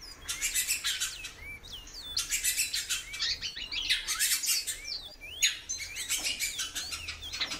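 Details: A female great-billed seed finch calls often, giving quick curved whistles that sweep up or down, mixed with dense rattling clicks and rustles throughout.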